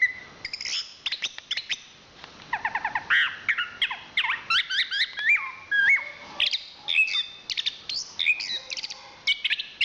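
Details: A national champion Chestnut-capped thrush delivers a long, busy song of sharp ticks, rapid rattling trills, liquid slurs and high whistles, packed densely with almost no pause. Recording is clean.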